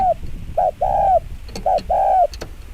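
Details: Two rapid phrases of 'chiêu gù kích bổi' cooing by a spotted dove, each a short hoot then a longer soft coo, with light clicking sounds.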